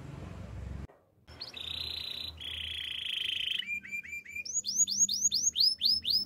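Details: Canary song used for training: after a short pause, steady buzzy rolls at two levels, then clipped rising notes that become loud, swooping whistles repeated about twice a second.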